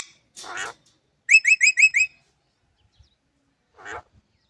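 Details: Green parrot calls: a harsh broad squawk, then a quick run of five bright, sharp chirps with rising inflection, and a final short rasping squawk after a pause; quiet background.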